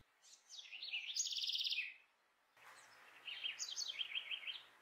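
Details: House wren (Troglodytes aedon) in São Miguel do Iguaçu, Paraná, Brazil, singing in town: two fast, bubbly phrases of high warbled notes with a rapid buzzy trill, swinging up and down in pitch; faint background noise.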